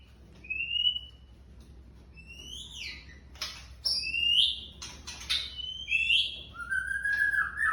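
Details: Young white-rumped shama producing the light "trakk" style: scattered clear whistles, some rising and some falling, separated by short dry clicks and pauses, with a longer falling whistle near the end.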